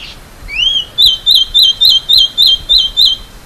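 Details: A masked gnatcatcher (Polioptila dumicola) sings: a thin rising whistle, then a quick run of about eight high, wavering notes, three or four each second, over quiet background.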